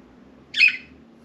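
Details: Indoor pet budgerigar among a small group loose from the cage on window blinds; a single loud, grating squawk-like chirp of about a quarter second, with only faint hum around it.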